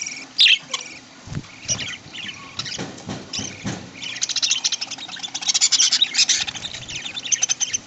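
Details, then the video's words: In an aviary in the early morning, budgerigars being fed corn in green leaves chatter in a busy, high-pitched stream of chirps, warbles and scratchy notes, many calling at once, with a few louder squawks early on. "Feeding Budgies A Healthy CORN Diet In Green Leaves Early Morning Parakeets"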